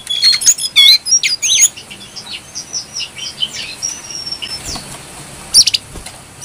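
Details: Excited brown-throated sunbird song meant as a lure: a dense opening flurry of high twittering chirps, fainter thin whistles trailing off through the middle, and a final sharp burst of notes.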